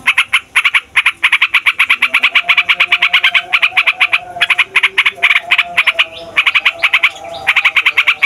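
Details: Yellow-vented bulbul, a fighter bird, giving a long rolling song used to provoke other songbirds and lure wild bulbuls: rapid harsh buzzy notes repeated in dense bursts, briefly pausing before resuming, with a faint steady low hum beneath.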